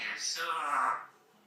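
An African grey parrot speaks a brief, clear, human-like word of about one second with a voice-like falling tone, then quiet.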